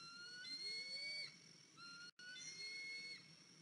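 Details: Eaglet, 103 days old, back on its nest at 10:57 in the morning on 14 April 2023 after fledging, limping: two long, level, whistled notes with bright overtones, each ending in a short drop, plus a softer low sliding tone beneath.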